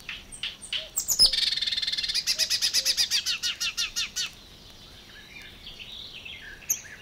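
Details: Song of a marsh warbler from Matsalu's coastal pastures and water-meadows, 1979 field recording: a few high notes, then a rapid even trill of around twenty ringing notes lasting three seconds before fading to quieter twittering.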